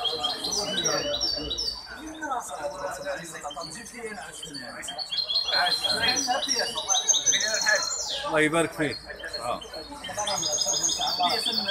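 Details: Song of a hybrid goldfinch entered in a singing competition, recorded 23 May 2021: dense, fast twittering with repeated high trills and downward-sweeping notes, among overlapping chatter and murmuring voices.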